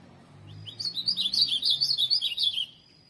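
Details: Azulão (ultramarine grosbeak) kept for song tournaments delivering a fast run of bright, slurred whistled notes, roughly three per second, rising and falling for about two seconds over a low background hum.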